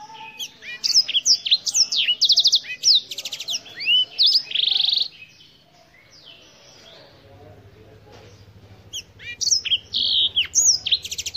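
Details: An African Black-throated canary delivers a rapid burst of high twittering notes and trills for about five seconds, falls silent for several seconds over a low hum, then resumes with more sharp slurred phrases.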